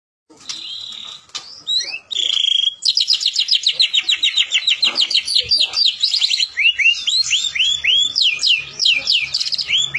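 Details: White-rumped shama lure song for prompting other shamas to sing and imitate: opens with steady whistles, then a fast run of bright notes repeated several times a second, ending in clear upswept whistles.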